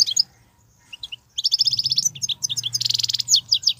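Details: Wild European goldfinch, described as an excellent wild singer with 'betbetat' phrases and unbroken song: after a short pause, a dense run of bright, high, tinkling twitters and buzzy trills, with a faint low hum underneath.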